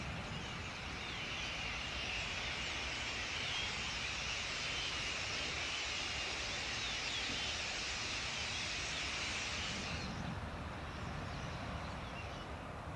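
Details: A large flock of common starlings (Sturnus vulgaris) in the Aiguamolls de l'Empordà Natural Park on 24 February 2018 makes a dense, hissing wash of chatter and whistles for about ten seconds, then falls almost silent, over a faint low rumble.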